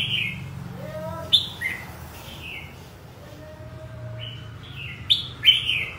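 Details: Scattered bright slurred notes from a red-whiskered bulbul, a pair of short bursts separated by a quieter stretch with faint hum.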